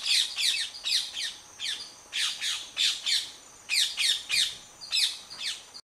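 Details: Indian ring-necked parakeets in the wild, nest under attack by a monitor lizard, screeching in loud grating bursts of two to four squawks, repeated roughly every half second to second.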